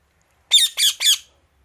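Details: Indian ringneck parakeet giving natural calls: three loud, harsh, raspy squawks in quick succession, each short and broadband, then silence.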